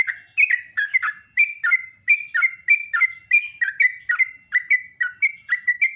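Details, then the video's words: Live morning singing from a sooty-headed bulbul, praised as sweet and booming: a steady, even chain of short, fluty whistled notes, each sliding down a little, repeated roughly three times a second. "KICAUAN TRUCUK PALING MERDU"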